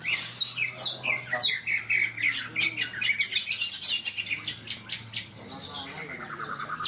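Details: Greater green leafbirds (cucak ijo) singing at a caged songbird competition in the Ronggolawe arena, Malinau, North Kalimantan; several birds at once give high, loud sweeping whistles and rapid chattering phrases, some falling in pitch, with faint voices and a low hum.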